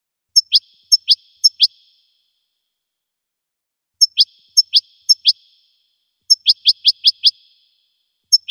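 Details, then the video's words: Goldfinch singing in short clusters of three to five crisp, high, downward-flicking chirps, each cluster separated by a pause of one to two seconds, with no other sounds. "Magic of the melody of the goldfinch's song for education"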